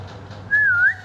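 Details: A pet green ringneck (rose-ringed) parakeet playing with toys gives one clear, half-second whistle, level and gently wavering, in a quiet room.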